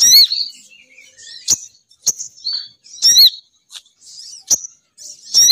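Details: Sogon bird female call used to lure males down: loud, high, sweeping chirps at the start and end, with short clicks and thin notes scattered between.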